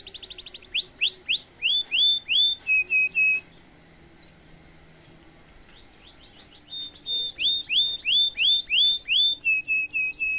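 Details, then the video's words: Lively domestic canary singing a cengkok mewah phrase: a fast high trill, then repeated loud curved whistles and lower flat notes. A near-silent gap follows before bright trills and slurred whistles resume, repeating roughly three times per second. "kenari gacor cengkok mewah bikin lawan langsung nyaut dan efektif buat masteran kenari paund"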